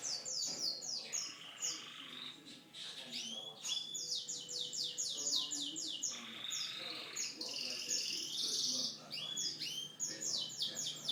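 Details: Canary in full song, described as unique: rapid runs of high, downward-sweeping whistled notes alternating with long, dense buzzy rolls and trills, the phrases flowing almost without a break.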